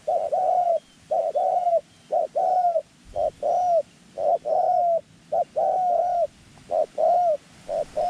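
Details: Loud, close cooing from a white-clawed decoy dove used in ground and tent trapping of wild doves; a continuous string of short-long coo pairs, roughly one phrase per second, with no gaps.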